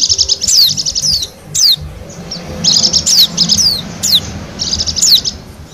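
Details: Bali white-eye, wild, recorded as a lure: fast strings of high, tinkling notes broken by sharp falling whistles, the phrases coming close together with brief pauses.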